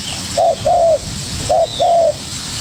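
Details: Spotted dove, young, calling back hard at a decoy bird: two low two-part coos, a quick note then a longer, slightly drooping one. Steady hiss and a faint high whistle are heard between them.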